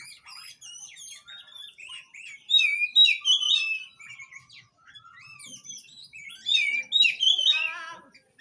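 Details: Oriental magpie-robin song meant to prompt a bird that has stopped singing: a rich, varied run of clear whistles, fast trills and chattering phrases, loud bursts at three and seven seconds, no other sounds.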